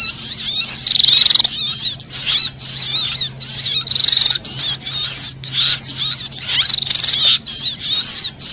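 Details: Scared, threatened brown-throated sunbird alarm combined with prenjak calls for attracting birds: repeated high zigzag chattering bursts about twice a second, some flat buzzy trills, and a faint steady low hum.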